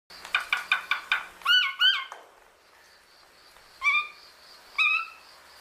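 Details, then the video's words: A cockatoo talks: six quick clipped syllables, then two drawn-out words with a bending pitch, a pause, and two more slurred, word-like phrases. "Best talking cockatoo"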